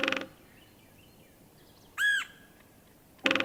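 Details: Red-headed Woodpecker of Missouri's open woodlands, described as screechy and almost mad-sounding: one harsh, arched call with rich harmonics lasting about a quarter second, bracketed by short loud bursts at the start and end.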